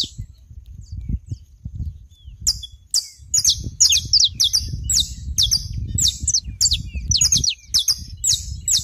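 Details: Saffron finch on a Brazilian smallholding, starting after a few seconds of low background rumble, then a steady series of high, sharp chirps and short slurred notes.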